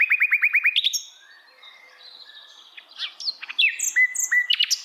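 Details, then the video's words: Hill blue flycatcher singing in the wild: a run of seven quick repeated notes, then scattered high whistled phrases with sharp rising and falling slurs and brief pauses. "KICAUAN SIKATAN LONDO DI ALAM LIAR"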